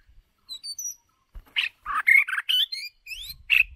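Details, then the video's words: Decoy white-rumped shama singing for voice training: faint high thin whistles at first, then a loud burst of varied notes, including rich warbles, chattery fragments and upward-sweeping whistles, with brief low knocks in the background. "Chòe lửa Mồi hót cực đỉnh ✦ Luyện giọng chòe lửa"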